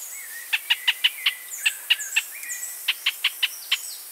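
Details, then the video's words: Pinto's spinetail giving a steady series of clipped, harsh notes about every fifth of a second, in two bursts separated by a short gap. Faint high whistles and slurred calls of other birds run through the background. "Pinto's Spinetail"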